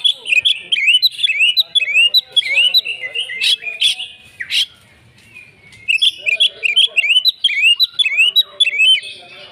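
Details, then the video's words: Kacer, an Oriental magpie-robin, in full-tilt fighting song: bursts of quick rising whistles repeated in runs, a short lull near the middle, then renewed rapid phrases with buzzy chips and a faint low warble behind. "kacer tarung full ngotot"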